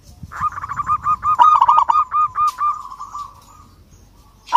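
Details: Local zebra dove in lively song aimed at a rival: a rapid chain of around fifteen bubbling, arched coos that trails into a soft steady tone, a fresh phrase starting at the end.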